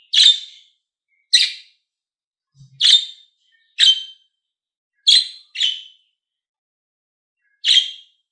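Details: Budgerigar chirps used to stimulate other budgies: seven sharp, scratchy, bright notes spaced irregularly about a second apart, two of them close together, with a faint low blip between notes and no other sound.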